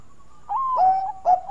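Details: Bangkok-type zebra dove singing a melodious song used as a lure to prompt other doves; a soft high note drops into a long, steady, slightly falling coo, then a short rough burst and another held coo.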